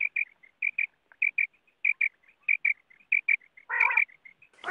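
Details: Quail, wild, calling as used in net hunting: crisp paired notes repeated steadily about every half second with faint soft notes between, then a loud harsh burst and noise near the end.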